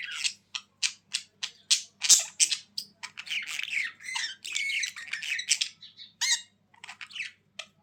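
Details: Budgerigars calling: a steady series of short sharp high chirps, about two per second, that turns into a dense buzzy warbling chatter with squeaks and chirps.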